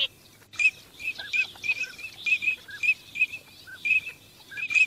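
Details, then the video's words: Teal during migration keep up a steady chorus of short piping whistles, several each second, mixed with faint lower chirps and a background hiss. "teal call migration song"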